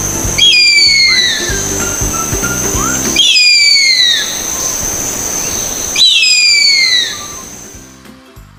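Harpy eagle giving three high, thin, wailing whistles that slide steeply downward, about one every three seconds, over a faint steady tone and low hum.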